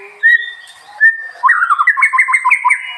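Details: In rural Bali, a white-rumped shama gives two short, clear whistles, then breaks into a fast, rhythmic string of warbled notes.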